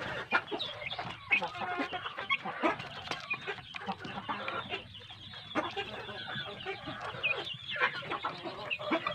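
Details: Big village-chicken chicks raised on good feed: nonstop overlapping cheeps and thin high peeps from many birds, loudness rising and dipping slightly while the chorus never stops.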